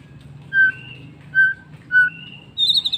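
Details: Sparse afternoon song of a White-rumped shama: three separate clear whistled notes spaced about half a second apart, some longer flat tones, then a brief high twittering flourish, with low background hum.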